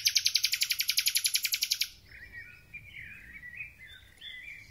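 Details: Thrush nightingale singing as spring begins: a loud, even rattle of about eighteen fast repeated notes for two seconds, then softer wandering whistled and warbled phrases.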